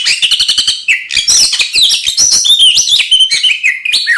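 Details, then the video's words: Oriental magpie-robin song for provoking fights: begins with a quick series of clicking ticks, then bursts into loud, varied whistles and slurred high notes. "kacer gacor NGEPLONG TARUNG konslet ini paling AMPUH buat PANCINGAN KACER agar EMOSI"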